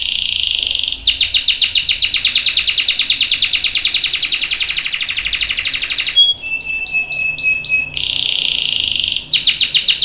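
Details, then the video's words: Canary long roll for training young birds: a brief trill, then an unbroken buzzy roll lasting about five seconds, a few short clipped notes, and a renewed rapid rolling trill. "KENARI GACOR NGEROL PANJANG bagus buat pancingan dan masteran kenari paud dan dewasa"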